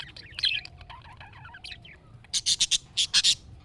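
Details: Budgerigar call used to get a pet budgie to respond: soft, twittering warble first, then six loud, clipped chirps in quick succession over the last second and a half.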